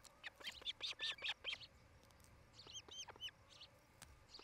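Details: Osprey couple at their newly built nest near Charlo, Montana, on a nest camera, 07-08-2018 around 17:00; a quick burst of sharp, high chirps, a short pause, then several clear downslurred whistled chirps over a faint steady background hum.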